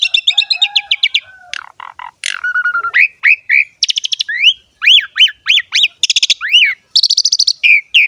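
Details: Javan pied starling (jalak suren) singing ngerek: opening rattling buzzes, a flat low whistle, then repeated arched whistles alternating with dense buzzy bursts, lively and continuous throughout.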